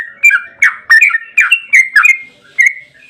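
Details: Yellow-vented bulbul in long 'ropel' song, used as a lure to set bulbuls singing: a dense chattering string of liquid whistled notes jumping between pitches, a brief pause, then one more clear phrase.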